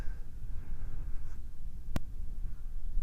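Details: A low rumbling background, like a quiet room, with one sharp click just before the two-second mark and no animal voice.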